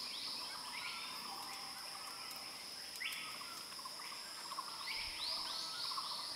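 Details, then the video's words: A male Banded Kingfisher (Lacedo pulchella) gives clear, arched whistled notes at irregular intervals, several rising and falling in quick succession, over a steady high drone of insects. "Banded Kingfisher / Lacedo pulchella / นกกระเต็นลาย"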